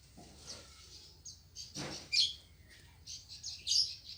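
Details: Green leafbird singing at a home, giving scattered short high chirps and buzzy bursts of notes separated by pauses, with one louder broadband rustle partway through and a low background hum.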